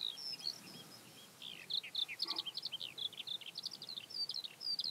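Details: Eurasian skylark singing near Hundred End, Lancashire, on 12 May 2017, a continuous rapid stream of high chirps, trills and short whistled slurs, quieter at first then a dense run of pulsed notes.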